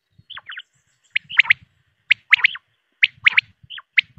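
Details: Quail voice used for night hunting: short bright chirps and downward-sliding whistled notes, grouped in bursts roughly once a second, with faint low thumps beneath.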